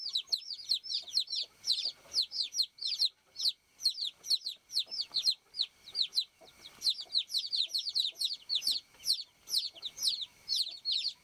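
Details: Baby chicks on a farm chirping, a call the description says summons the hen: a dense, continuous stream of high, sharp, downward-slurred peeps from several chicks, overlapping and repeated about twice a second, with a faint steady hum beneath.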